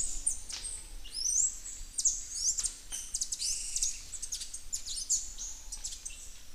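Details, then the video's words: Grey-and-gold tanager, resident in Colombia, Ecuador and Panama, giving thin, very high chirps and short upslurred notes in loose bursts about every half second, over a steady low background hiss. "O canto da Saíra platinada"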